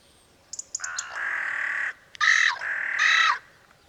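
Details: Carrion Crow (Corvus corone), Portugal, with a call sharper than the raven's that can be recognised from far off: a few soft clicks, then a long rasping caw followed by two shorter harsh caws.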